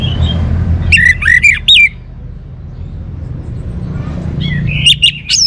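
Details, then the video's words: Orange-headed thrush song: a bright phrase of rising whistles and chirps lasting about a second, a quiet gap with soft background rumble, then another burst of sharp, climbing whistled notes. "suara burung Anis Merah"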